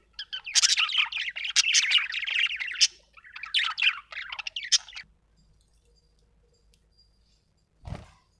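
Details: Budgerigar chirping: two bursts of scratchy, rapid warbled chatter lasting about five seconds, then near silence with a single low thump at the end.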